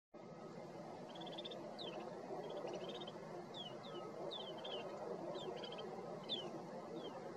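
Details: Snow buntings in London, Ontario, February: several birds give a scatter of short, high chirps and falling whistled notes over a steady roar of wind or distant traffic.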